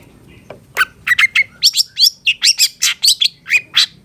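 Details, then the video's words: Long-tailed shrike training recording with full fill-in phrases. A lively, even string of chirps, upslurred whistles and scratchy notes runs about three per second without a break. "Masteran Suara Cendet Satu Titik Nagen❗Pancingan Cendet FULL Isian"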